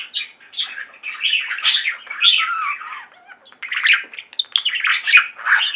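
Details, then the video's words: Pet budgerigar flock singing together indoors: continuous warbling chatter of overlapping chirps, squeaks and short trills, mid to high pitched, with brief pauses and no other clear sounds. "Budgies singing and chirping"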